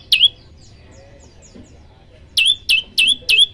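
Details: Prinia, called prenjak lumut, tutor song: one sharp rising chirp, a quiet gap with faint soft notes, then four loud upswept chirps in quick succession.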